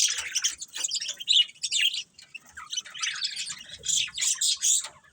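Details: Pet budgies chattering nonstop, mixing squeaky whistles, raspy buzzes and quick clicking twitters in a dense, uneven stream, ending with a few louder bright chirps before fading.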